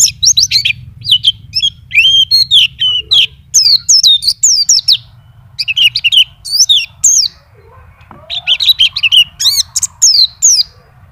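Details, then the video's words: A champion master white-eye pours out ngacor song with its isian fill: clusters of shrill, rapid chirps and twittering slurs in bursts, with short breaks near three and eight seconds and a faint hum underneath. "PLECI NGACOR ‼️BONGKAR ISIAN"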